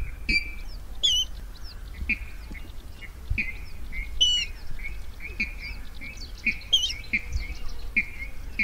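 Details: Rail calls for luring birds into nets at night: a steady stream of short, falling nasal notes with occasional sharper whistled squeaks, under continuous low background rumble.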